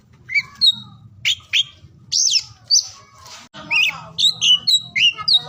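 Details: Oriental magpie-robin song for stimulating silent or lazy birds, recorded across the day: spaced whistled phrases with some harsher rasping notes, then faster clear whistles toward the end.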